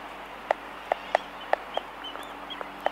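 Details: Laysan albatross colony recorded close up: loud hollow clicks with a knocking tone, roughly every third to half second, with fainter thin whistles in the background.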